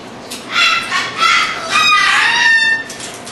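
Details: Displaying cockatoos give rough, grating squawks in several overlapping rising and falling bursts, louder in the middle, after a person calls out to them.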